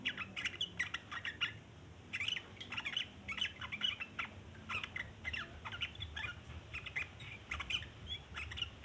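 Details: A sooty-headed bulbul's long chattering: continuous rough, squawky chatter in uneven clusters throughout, with brief gaps between bursts and a low rumbling background.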